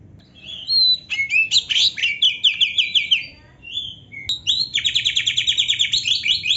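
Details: Oriental magpie-robin singing actively, packed with canary-style fill-ins for training: bright whistles leading into a rapid rattling trill, a pause with a sharp click, then another fast even trill.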